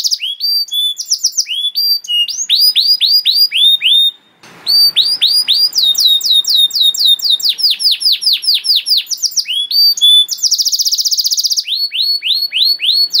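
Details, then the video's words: Canary master song for young canaries, long and varied: rapid high whistles, rising and falling sweeps in repeated series, a short pause with faint noise, and bursts of very fast buzzy trills. "KENARI GACOR PANJANG CENGKOK ISTIMEWA COCOK BUAT MASTERAN KENARI PAUD || VOICE OF CANARY"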